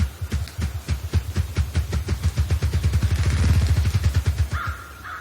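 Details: A grouse drums to attract a female, a run of deep, low thumps, about three a second, crowding closer together midway. A brief higher whistled tone comes near the end.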